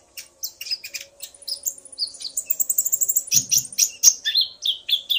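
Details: Lively male Common iora song triggered by a female calling back and forth with him: rapid, varied high chattering notes that build in pace toward the end.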